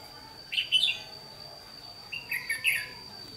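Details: Red-whiskered bulbul used as a decoy bird for trapping, recorded 28 May 2016: two short warbled, chattering phrases about one and a half seconds apart, with a faint steady high tone running throughout.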